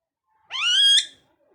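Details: Single drawn-out parrot screech, rough and nasal, rising slightly and held for about half a second before breaking off, in an otherwise quiet setting.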